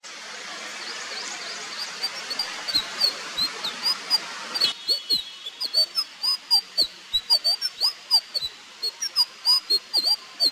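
Indigo flycatcher giving thin, high-pitched notes repeated about three times a second in a steady series, over a soft hiss that fades after the first few seconds.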